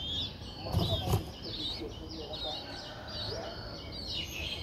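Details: Squeaky, high, V-shaped calls from nine-day-old Streak-eared Bulbul nestlings in Ubon Ratchathani, Thailand, 11 April 2023, repeated about every half second. A couple of soft thumps come early, over steady low background noise.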